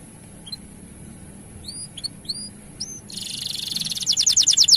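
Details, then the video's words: Male canary singing a long 'gacor' song meant to stimulate other males to sing: scattered short upswept whistles, then a fast buzzy trill rising into loud rapid repeated notes. "Asli Gacor Panjang Bikin Menaikan Birahi Kenari Jantan Untuk Buka Suara"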